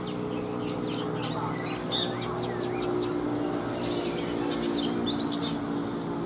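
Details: Wild-caught Oriental magpie-robin, caged for three seasons, sings in the morning: scattered high notes, then a quick string of about five looping downslurred whistles and later sharp chips, over a background hum.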